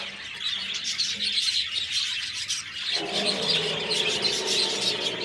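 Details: Budgies twitter and chirp rapidly as a flock, a constant high chatter; after about three seconds a broad rushing background noise joins the calls.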